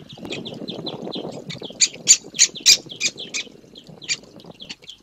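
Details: Young great spotted woodpeckers being fed give a rapid, continuous chatter of high, harsh begging calls for food, growing louder in brief bursts, over a low rustling background.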